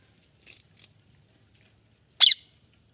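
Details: Rose-ringed parakeet, a molting pet ringneck, makes two faint ticks and then one loud, abrupt raspy chirp near the end, with a steady background hum.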